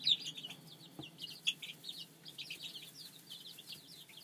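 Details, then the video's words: Young chicks kept in a small brooder coop, giving clustered high chirps and short falling peeps at uneven intervals, one sharp tap near the middle, soft hum below. "Cute Chicks In An Awesome Little Brooder Coop"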